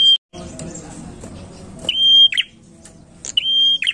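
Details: Prinia song used as a lure: a noisy, muffled stretch gives way to two clear phrases, each a long, level, high whistle ending in tumbling lower notes.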